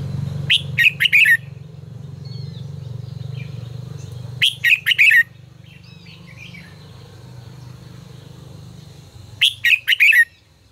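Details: Red-whiskered bulbul tutor song used for voice training: three matching phrases, each a rapid run of loud, bright, warbled notes, repeated about every four and a half seconds over a constant low hum, with soft chirps from other birds in the gaps.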